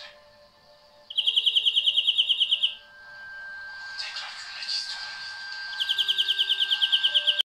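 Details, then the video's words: European greenfinch (Carduelis chloris) singing a rapid, evenly pulsed buzzy trill lasting about one and a half seconds. A hissing noise follows, then the trill returns. Faint steady tones hum underneath throughout. "Greenfinch Song"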